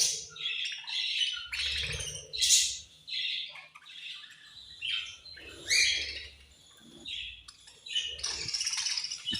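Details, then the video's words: Pet budgerigars chirping at food time, said to be angry while eating: several birds give overlapping harsh squawks and scratchy chirps in uneven bursts, with soft low thumps and rustling between them. "My Beautiful Budgies Angry Eating And Chirping Sounds"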